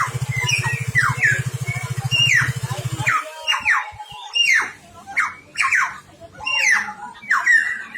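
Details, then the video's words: Timor friarbird, a series of harsh, squawky notes sliding up and down in quick bursts, with a steady low mechanical hum during the first three seconds and then quieter background. "Burung cucak timor"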